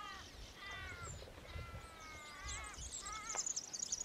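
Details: Zebra finch in Australia giving nasal, toy-trumpet-like honking calls, several in quick succession.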